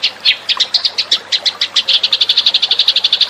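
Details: House sparrow lure call, a lively stream of sharp chirps that speeds up from irregular notes into a fast, even series.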